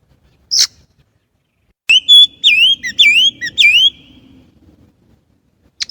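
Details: Chinese blackbird singing: a short high note, then a sharp click followed by a run of four clear whistled phrases, each dipping and rising, repeated about every half second, with faint low rumble beneath.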